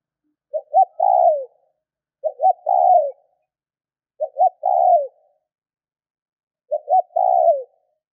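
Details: Four spotted dove phrases in quick succession, a call meant to get other doves calling fast: each a double short coo followed by a long, hoarse, downward-sliding croo. Clean, quiet background.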